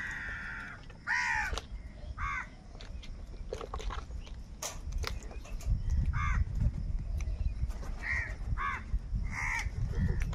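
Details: Crows fighting for food give a string of hoarse, downward-arching caws, roughly one every second or two, over a constant low outdoor rumble with scattered clicks.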